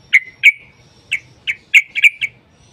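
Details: Sooty-headed bulbul notes used as a lure: separate bright, slightly downslurred calls spaced unevenly, the last few coming in a quick run of three or four.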